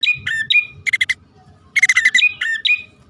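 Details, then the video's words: Bar-winged prinia male and female calling, a lure recording for attracting birds: short rising whistled notes near two to three kilohertz alternate with rapid buzzy, rattling bursts in quick clusters, with a faint low rumble beneath. "suara pikat prenjak poci/hutan jantan dan betina memanggil jitu"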